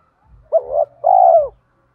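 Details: A single phrase from a lure spotted dove with thổ-style song that sets wild doves calling: a short wavering double coo, then a long steady mellow coo fading out.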